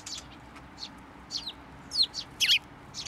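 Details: Sparrows come onto an outstretched hand for food at a Tenmangu shrine on 10 June 2024. Sharp, high chirps sound in short bursts, louder and closer together toward the end, over quiet background noise.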